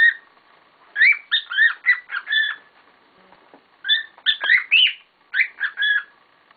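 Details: Pet cockatiels kicking up a storm, giving clipped, scratchy chirps in rapid runs of four or five notes, with a pause of about a second and a half between runs.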